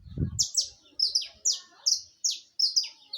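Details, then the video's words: Saffron finch singing a string of sharp, high, downward-slurred chips, about eight notes in three seconds, opening after a brief low thump. "Som de canário da terra canto ao vivo"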